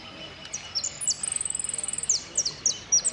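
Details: High saffron finch song in the "El Cristalino" style of prio, golpe and pitadas: a few bright downslurred notes, then a fast even trill of about fifteen ticking notes, then more sharp whistled slurs.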